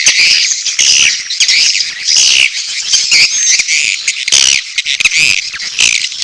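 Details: Dense chorus of swiftlet mating calls with chick calls: shrill, buzzy chirps and squeaky twitters overlapping constantly, swelling and easing in waves.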